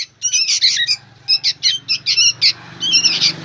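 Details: Young sooty-headed bulbuls, described as very noisy, giving short buzzy squawks about once a second in uneven bursts over a low background hum.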